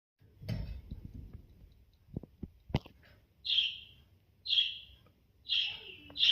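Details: A pet budgerigar gives short, bright chirps, repeated about once a second after a few soft clicks.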